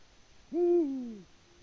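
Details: Latvian male Eurasian eagle-owl, seeking a mate on a March evening with no female replying, gives one low, resonant hoot that falls in pitch at its close; otherwise near-silent.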